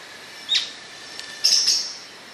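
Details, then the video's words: An Atlantic royal flycatcher gives a brief sharp high note, then about a second later a louder, higher, slightly drawn-out note over a faint insect hum. "Canto da MARIA-LEQUE-DO-SUDESTE"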